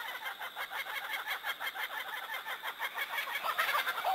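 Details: Quieter kookaburra laughing, a steady pulse of rough chuckling notes about three per second, resembling human laughter, growing louder near the close.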